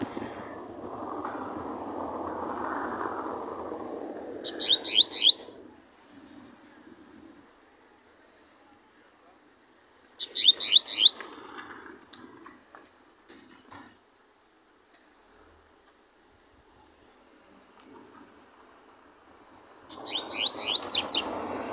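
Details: Double-collared seedeater (Sporophila caerulescens), song.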